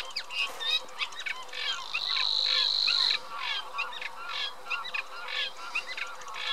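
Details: Eurasian reed warbler chattering song of gritty repeated notes, interrupted for about a second by a steady thin high-pitched whine.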